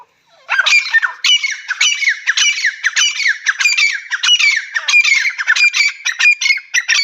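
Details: Partridge (teetar) giving a non-stop run of loud, harsh, squawking notes, roughly one and a half per second, each rasping and slightly falling, continuing unbroken throughout.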